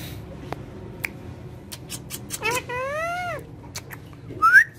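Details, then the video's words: Pet parrot described as friendly and speaking, indoors: clicks and taps, then a drawn-out, wavering, nasal vocalization like a meow, ending with a short, rising whistle. "My So Cute And Friendly Speaking Parrot"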